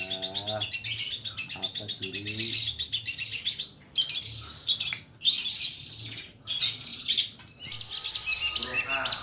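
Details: Long-tailed shrike (cendet or pentet) in complete master song with plentiful fill-ins: rapid high chattering bursts separated by short silences, a few low nasal notes, and varied twittering phrases near the end.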